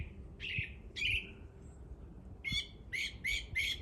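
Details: Singing bird giving two drawn-out slurred notes, a pause, then four rapid buzzy chirps with rich overtones, clear and fairly loud over faint low background noise.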